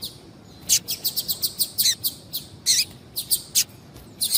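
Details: Female double-collared seedeater calling to excite a male into singing: a fast, uneven run of bright, very high, short chips, roughly one every quarter second, some doubled, over steady faint hiss.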